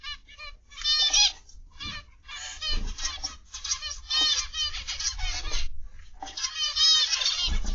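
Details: In an aviary on the afternoon of 29 November 2021, zebra finches give clear, nasal, harmonic beeps in loose bursts, some rising in pitch, with short pauses between bouts.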